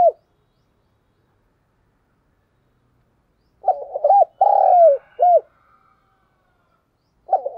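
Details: Spotted dove decoy coo used to lure wild doves: a stuttering run of short notes, then a long drawn-out falling coo and a shorter closing coo. Phrases are separated by several seconds of silence, and the next phrase begins at the end.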